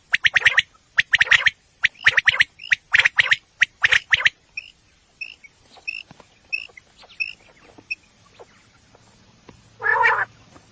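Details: Night recording of a common quail, used for hunting and described as female: a rapid run of sharp clicking bursts, then a string of soft high chirps, ending in one rough nasal call.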